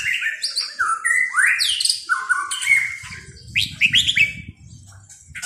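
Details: Red-whiskered bulbul in sai nap dok, the counting-flowers song style, giving loud fluty whistles with quick rising and falling sweeps, phrase after phrase, over a low rumbling background noise in the second half.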